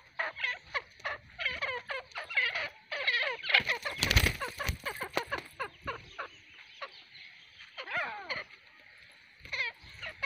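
A female Grey francolin gives harsh, rapid chattering notes in quick bursts, with a brief loud thump or rustle partway through.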